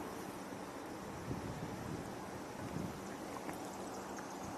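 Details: Steady wind buffeting the microphone over rushing waves and a boat's low hum, with no animal calls audible.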